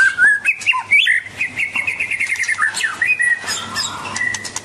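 White-rumped shama singing a rich, varied run of clear whistles and chirps, with quick rising and falling phrases; other chirping birds sound faintly behind.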